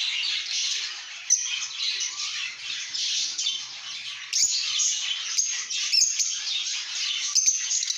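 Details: Lovebirds in a good mood chirping and squawking: sharp high chatter with sudden louder squawks and clicks scattered through the steady twittering.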